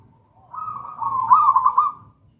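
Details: A local wild zebra dove of gedang rojo style, used as a master song: one drawn-out, bubbling coo phrase rising in loudness, ending in rapid stuttered trills, over a soft low hum.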